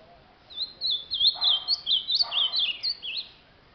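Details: Ultramarine grosbeak singing a lot: a rapid three-second run of clear, high whistled notes, up-and-down slurs strung tightly together, loud and close.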